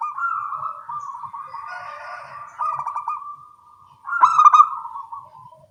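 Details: Local perkutut zebra doves answering each other in the morning, producing low rolling coos made of quick pulsed notes, with a sharper, louder stuttering phrase breaking in near the end.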